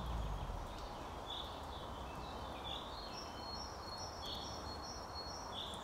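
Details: Male and female Eurasian bullfinches (Pyrrhula pyrrhula) in the wild at the end of May near Zvenigorod Biological Station, Moscow region, give soft, short piping whistles about every 1.5 seconds over a steady rural hiss, with thin high notes from another bird.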